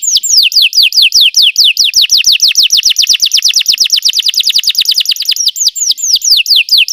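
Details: Belgian canary in song for training canaries to sing, delivering a long, rapid series of bright, descending whistled slurs, several per second, steady throughout, then a few slower hooked notes at the end.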